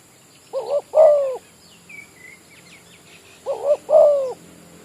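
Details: Village spotted dove serving as a lure bird at an oil palm plantation, calling two throaty coo phrases, each a quick double note followed by a drawn-out falling coo, with thin chirps of small birds between them.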